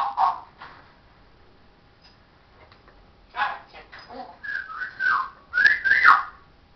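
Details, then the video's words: Pet parrot talking, mimicking human speech: short raspy syllables, then a run of whistled, wavering phrases rising and falling, indoors. "parrots says hello darling show us your"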